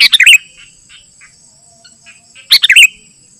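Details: Sooty-headed bulbul song, used as a lure for wild bulbuls in the forest and as a tutor for birds kept at home: a quick chattering, bubbly phrase, a pause with faint soft notes, then another matching phrase, with a continuous high-pitched hum behind.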